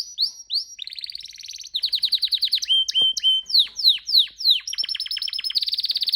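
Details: Pet canary in full song, with high whistled upslurs, buzzy rapid trills and a sequence of falling whistled notes, ending in a dense, fast trill. Phrases change every second or so.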